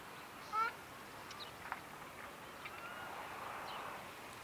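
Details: One brief honking call early on from a wild ruddy shelduck on the river at Aoulouz Gorge, Morocco, followed by scattered faint bird notes and low river-bank ambience.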